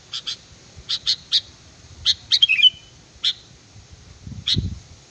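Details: Sooty-headed bulbul song used as a lure, given as clipped high double notes and a brief warbled, twisting whistle phrase, with faint low rumble near the end.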